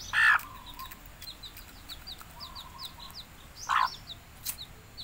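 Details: Domestic hen calling her young to eat: two loud, abrupt clucks spaced about three and a half seconds apart, with faint, high, slurred chick peeps between them.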